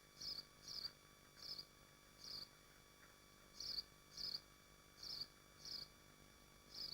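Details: Common swift at a nest in Machynlleth, in the Dyfi Biosphere, gives short, shrill, high-pitched screeching notes, often in quick pairs, about every half-second over a faint steady hiss.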